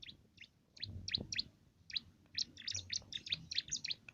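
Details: Small, lively cimblek singing a canary-style filler song, the kind used to tutor contest birds. High, sharp chirps come in uneven bursts, quickening into a busy twittering run, over a low background rumble.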